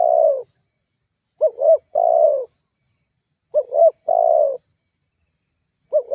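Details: Lure call of a spotted dove meant to stir rivals: low coo phrases of two quick rising notes and a longer falling note, repeated about every two seconds in a clean recording.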